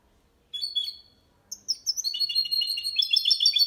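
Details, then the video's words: Clean Malaga-style song of a goldfinch × canary hybrid for teaching other birds: a brief high twitter, a short pause, then rapid bright trills and chirps rising in intensity. "Mixto jilguero cantando copia malaga _ Hybrid of goldfinch singing for training songs"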